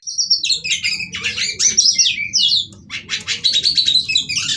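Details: Female white-rumped shama singing to stimulate others: busy, scratchy chattering bursts with interwoven whistles in two long runs separated by a short lull, a steady low hum beneath.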